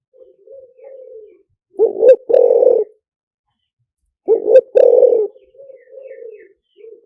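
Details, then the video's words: Spotted dove cooing as a lure, lio tan style: faint low coos between two strong phrases of short double notes plus a sustained buzzy coo, repeated about every two and a half seconds. "เสียงต่อนกเขาใหญ่หมานๆ, เสียงนกเขาใหญ่ ต่อเข้าเร็ว เสียงหลิ่วตัน"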